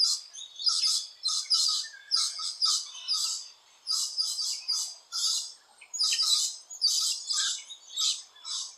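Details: Rainbow lorikeets busy at different nesting holes in Australia give repeated bursts of harsh, piercing screeches, each burst lasting under a second and separated by short gaps.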